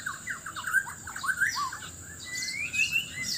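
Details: White-rumped shama (Sabah, Borneo) singing loudly in a vocal contest to attract a mate: a fast, varied run of rich whistled notes sliding up and down, with a few higher thin notes over faint background hiss.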